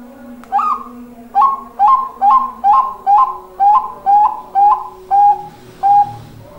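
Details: Zebra dove of the Bangkok type giving a series of about ten short, mellow cooing notes at a fairly steady pitch. Each note opens with a quick rise and the notes come roughly every half second. The last note stands slightly apart, and the background is quiet.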